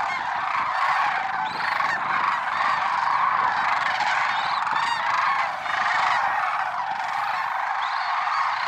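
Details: Flock of lesser sandhill cranes calling at dawn, Merced National Wildlife Refuge, February 6, 2023. Many birds trumpet and honk at once, a thick continuous din with a few higher rattling notes rising above it.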